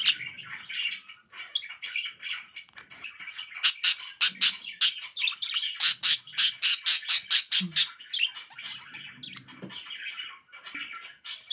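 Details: Budgies chirping indoors: mixed warbles, then a run of loud sharp chirps repeated quickly for about four seconds before softer chatter returns.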